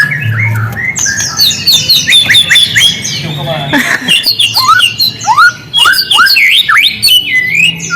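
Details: White-rumped shama song as a lure to make quiet shamas respond: series of crisp, high chipping notes and sharp downslurred whistles, repeated in quick bursts, then lively upsweeping calls, with faint low hum.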